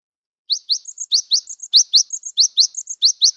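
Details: Cinereous tit known locally as gelatik batu or gelatik wingko, still wild-natured, used to draw song from quiet birds; a steady chain of sharp upswept notes paired with brief flat whistles, over a dozen elements in three seconds.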